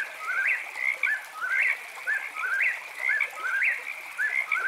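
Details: Night song of an eastern whip-poor-will at a campsite: rhythmic three-note whistled phrases, each ending on a rising upslurred note, repeated about once a second above a constant shrill frog chorus.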